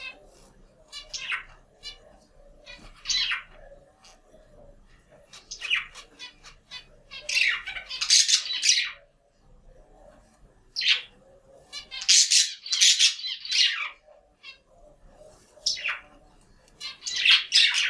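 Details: A budgerigar chatters in bursts of harsh, scratchy squawks and chirps with quiet pauses between, while interacting with its reflection in a mirror.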